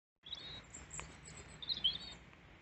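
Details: A wild European robin in Peasholm Glen, Scarborough, UK, sings after repeatedly landing on a hand to take seed: soft, thin, high warbled notes in short bursts over a steady background hiss.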